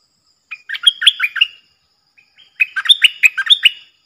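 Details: Decoy stripe-throated bulbul used to lure wild birds and teach youngsters, singing two loud phrases of rich, chirpy, rapidly tumbling whistles, the second phrase longer, with a brief silence between them.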